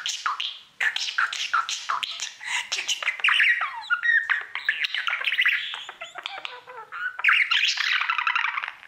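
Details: A male pet budgie sings all day to his mirror, here producing nine seconds of dense chattering warble: clicks, squeaks, buzzy trills and slurred whistles with barely a pause.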